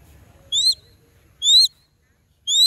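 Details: A hunting crested goshawk gives three short, shrill, slightly rising squealing notes, about one every second, against a quiet background.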